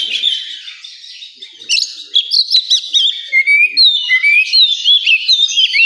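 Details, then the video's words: Oriental magpie-robin at a singing contest venue, delivering a loud varied song of sweet whistles, slurred upward notes and quick chattering bursts, intensifying toward the end; a background hum of other birds. "Suara kacer di area lomba"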